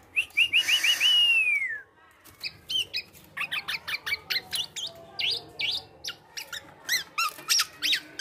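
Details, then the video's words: Male black-naped oriole giving an unusual song that imitates other birds: a quick run of five high notes ending in a long downslurred whistle, then a steady stream of sharp, varied chirps and whistled notes about three per second. "Gocor Aneh Kepodang Emas,Bisa Menirukan Suara Burung Lain."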